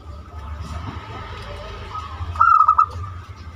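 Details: Zebra dove singing the banyumili style, used to lure other doves into song: one brief burst of quick cooing notes near the end, after a stretch of low rumbling noise.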